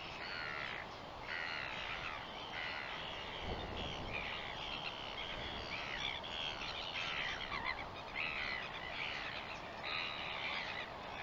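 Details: Northern royal albatross, 21 September 2021: a run of raspy, nasal call notes repeated roughly every second over steady hissing background noise, with a brief low thump midway.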